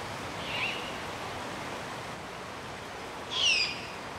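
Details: Young great horned owls, nestlings to fledglings, on Strawberry Island in Golden Gate Park, San Francisco, at dusk in spring or summer: a faint, short rasping hiss followed nearly three seconds later by a louder, grating screech.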